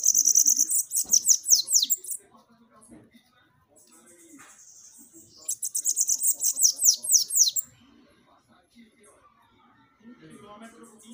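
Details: Sibite, or Bananaquit, song for firing up captive birds: repeated two-second phrases of thin, fast buzzy notes that finish in quick downward slurs, separated by quieter stretches with faint low background sounds.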